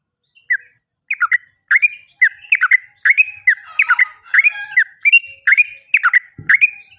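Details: Yellow-vented bulbul sounds played to stimulate silent birds: after a brief gap, fast bubbling chirps in short groups repeat steadily, with one low knock near the end.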